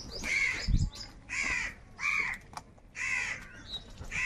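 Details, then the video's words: Crows fighting over food call in rough, nasal caws spaced about half a second apart, with a low thump and rustling below the calls. "Crow Birds Unity Anger and Sound | All types of Crow Sounds | কাকের ডাক Crow Sound Loudly"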